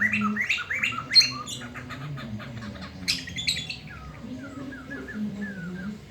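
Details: A loud black-throated laughingthrush singing at midday, meant as tutor song for young birds. It opens with rapid harsh chattering notes, then a brief rasp, then soft falling whistles, all over a low background hum.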